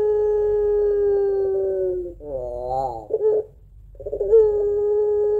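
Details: Barbary dove of the puter pelung type kept at home, its long two-note crying song used as a lure for doves. Sustained even tone, a rising warbled break, a pause, then a new long note.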